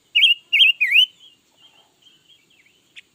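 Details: Red-billed leiothrix, said to sing all day, gives three loud, rich, wavy whistled phrases in quick succession, then soft twittering notes and a final click.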